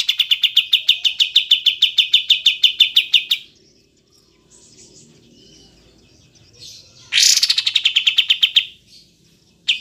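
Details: Olive-winged bulbul (kapas tembak), long clear take: a steady stream of about twenty-five quick, sharp notes for three seconds, a quiet pause with soft twitters, then another harsh-starting rapid series.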